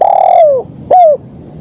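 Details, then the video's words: Spotted dove in 'kuk 1' style song: a long, full, level coo that fades and drops in pitch, then a shorter, bright coo that also slides down, close and clear against a quiet background. "Suara Burung Kicau Terkukur Gacor KUK 1"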